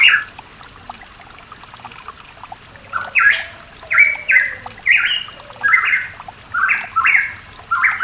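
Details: Pitohui from the East Java mountains, Indonesia: after a short pause, a run of brisk two-note whistles, each stepping upward, repeated about every half second over running water.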